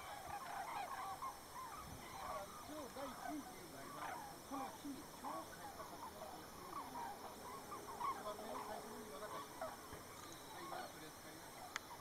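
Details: White-naped cranes starting their northward spring migration, circling in flight to find thermals, Arasaki, 27 January 2010; a flock gives a dense, overlapping chorus of loud, trumpeting calls without pause.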